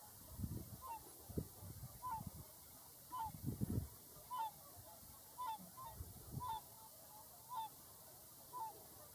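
Whooper swans give loud, trumpeting honks, one about every second, over low rumbling wind noise.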